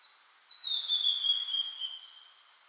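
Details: Blue-and-white flycatcher on a cloudy, 14°C spring mountain morning after rain, 2022; a single drawn-out whistle sliding gently downward over about one and a half seconds against soft background hiss.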